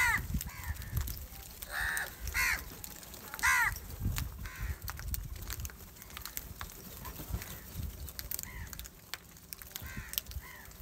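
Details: Angry crows competing for rice food, a series of raspy caws clustered early and again near the end, with some human voices and outdoor noise in the background.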